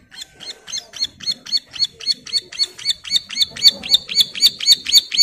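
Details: Bar-winged prinia female in breeding condition calling its mate: a rapid, even series of about twenty rasping, high chirps, growing louder toward the end.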